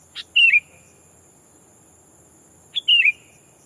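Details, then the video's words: Decoy sooty-headed bulbul calling a rival to lure wild birds: a soft pip followed by a bubbling, falling whistled phrase, heard twice within under three seconds, with a faint high hum in the background. "Burung kutilang pikat memanggil lawan bikin kutilang hutan ketar ketir!!"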